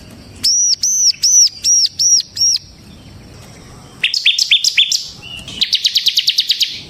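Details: Bar-winged prinia ('ciblek semi'), a kept songbird singing vigorously as a lure and tutor for other prinias. Six evenly spaced, arched whistles come first, followed by fast, buzzy, high-pitched chirp runs.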